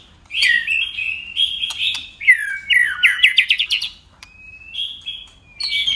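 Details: Competitive white-rumped shama song with constantly changing voices: rich warbled whistles, then a rapid series of down-slurred notes, a long thin whistle, and a final burst of mixed phrases.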